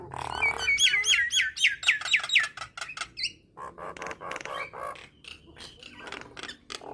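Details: Nias hill myna song, played to set starlings singing: a run of evenly spaced hooked whistles, about four a second, followed by dry clicking and rasping notes.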